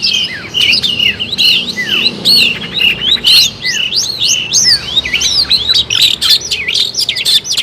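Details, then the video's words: Long-tailed shrike song used as a lure for trapping birds: a dense, continuous run of high, varied whistled and chattering phrases with sharp slurred upward and downward notes and clicky ticks, delivered without pause. "suara kompilasi burung cendet gacor ampuh untuk pikatan"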